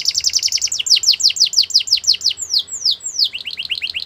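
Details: Belgian canary singing, played to encourage other canaries to sing: very rapid trill of falling notes slowing into longer downslurs, then quickening again into a fast chattering trill.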